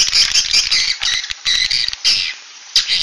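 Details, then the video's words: Swiftlets give dense, high, buzzy chittering in quick bursts, several per second, broken by brief pauses; an original swiftlet roosting call recorded in 2021. "Suara Inap Original"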